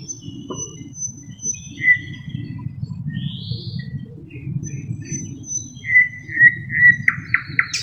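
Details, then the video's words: Thrush nightingale (Luscinia luscinia) singing a song that includes mimicry of other birds; thin high whistles scattered through, then a run of clear repeated whistled notes near the end, over a low steady background rumble. "How Thrush Nightingales Mimic Other Birds"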